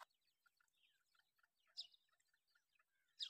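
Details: Captive grey francolin chicks, Dakni Irani type, kept for sale; quiet high twittering peeps run steadily, with two louder piercing chirps standing out.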